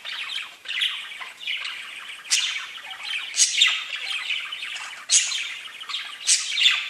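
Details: Several pet budgies chirp and warble nonstop, a scratchy, twittering chatter punctuated by sharp squawks at a bit over two, three and a half, five and six seconds.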